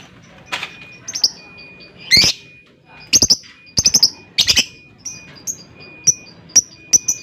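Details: Lovebird calling in shrill chirps and rapid triple-note bursts, then a run of thin, evenly spaced high peeps toward the end, over a faint continuous whine.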